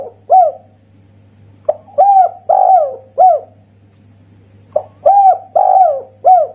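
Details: Spotted dove of a local Indonesian line giving the kuk satu song: two phrases of mellow coos, a short lead note followed by three or four rounded hoots, separated by a quiet gap, with a low constant hum behind.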